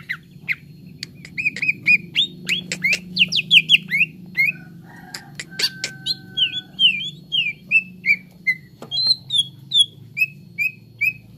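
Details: Grey-throated leafbird song played as training therapy to make caged birds sing: scattered sharp clicks and chips, then a series of short slurred whistled notes descending in pitch, over a low steady hum.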